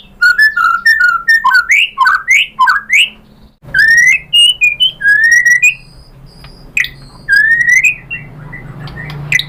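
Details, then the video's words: White-rumped shama in full nonstop song, used as a lure to draw replies from other shamas and showing off learned mimicry: bursts of rich rising and falling whistled notes with short pauses, over a constant low hum. "MURAI BATU lain jadi NYAUT ikut BUNYI GACOR BONGKAR MATERI ISIAN ¦ PANCINGAN MURAI SHAMA BIRD"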